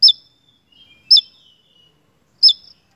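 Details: Javan tesia giving loud, high, downward-hooked chips roughly once a second, with faint thin trailing notes between them.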